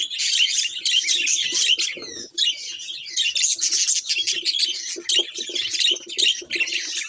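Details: Several pet budgies chatter nonstop in overlapping bursts of shrill chirps and scratchy warbles. A short lull falls near the middle, then the busy twittering resumes to the end.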